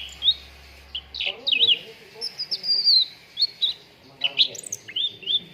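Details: Cucak ranting singing on a recording meant to train contest birds: quick, high, twisting whistles and sharp chirps, loosely spaced, with one longer wavering phrase in the middle and a low hum at the start.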